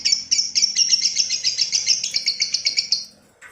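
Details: Lovebird in a long ngekek trill, about three seconds of fast, evenly pulsed high chattering notes that stop abruptly, then a brief lower squeak; the trill is used to train and provoke other lovebirds.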